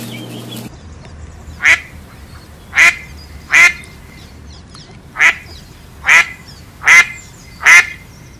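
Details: A sharp burst of noise opens, then a duck utters seven loud nasal quacks spaced roughly a second apart over a low background hum.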